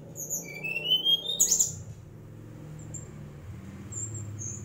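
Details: Mangrove whistler song: a clear whistled note sliding upward, then a burst of very high sharp notes, with a low steady hum underneath.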